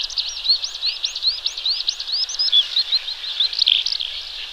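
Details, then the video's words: Training song of a Horsfield's bush lark: a run of upswept high whistled notes in quick succession, then twisting, slurred trills, all sung steadily and loudly. "Burung Branjangan gacor, cocok untuk Masteran."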